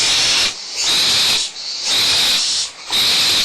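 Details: Excited barn owl young at Audubon Starr Ranch Sanctuary quarrel over leftover food, mother nearby: three long harsh hissing screeches, each about a second long, split by short softer gaps.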